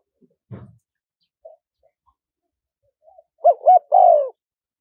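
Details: Spotted dove, wild 'karom pa' style with a small voice and khat, nun and ku ang parts, meant to lure wild doves: a soft thump and faint coo, then at the end two quick coos and a longer falling coo.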